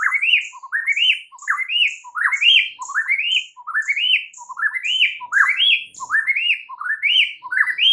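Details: Provoking song of a white-rumped shama used as a lure to agitate other shamas: rising, slurred whistles repeated about once per second, each with thin high notes above them.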